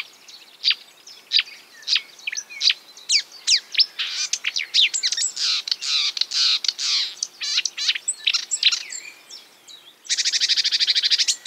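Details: Marsh warbler copying other birds: separate sharp chirps, then a dense rush of buzzy, scratchy notes, and finally a loud, even high buzzing rattle.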